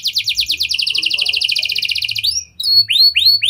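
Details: Mimicking canary singing lovebird and prinia-style phrases as a lure for other canaries; a steady rapid trill of dense notes for two seconds, a brief pause, then loud upward-curving whistles.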